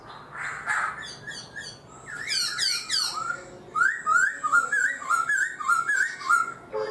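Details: Black-throated laughingthrush kept in a cage for four months: a burst of trilled buzzy notes, then a rhythmic string of clear rising whistles repeated about three times per second.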